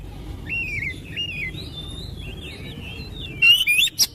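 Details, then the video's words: Oriental magpie-robin song meant to prompt other magpie-robins to sing: soft, wavering whistled phrases repeated at a moderate pace, ending with a sudden loud burst of sharp, rising, rasping notes. "TERAPI KICAU KACER CEPAT GACOR"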